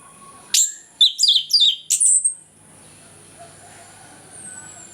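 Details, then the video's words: Orange-headed thrush in morning ngeplong song, a lure for birds reluctant to sing: one and a half seconds of dense, high whistled notes slurring downward in quick succession, then near silence. "ANIS KEMBANG NGEPLONG PAGI, PANCINGAN AK MALAS BUNYI AGAR GACOR"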